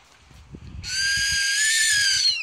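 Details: Owl giving an unusual cry: one loud, steady screeching note of about a second and a half, harsh and rich in high overtones, starting abruptly after quiet background rumble and ending sharply.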